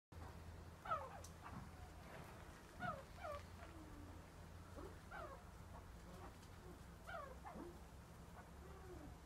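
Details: Himalayan monal at a pheasant breeding farm giving short, plaintive slurred notes that bend down then up, repeated every second or two over a steady low mechanical hum.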